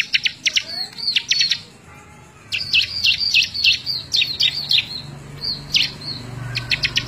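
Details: Bar-winged prinia singing energetically for use as a training recording for other birds, May 2017: quick clusters of bright, high chirps and short trills, a quiet gap in the middle, light background hum.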